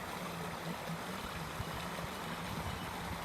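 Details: Steady low engine hum with a constant hiss of background noise, and no animal voice heard.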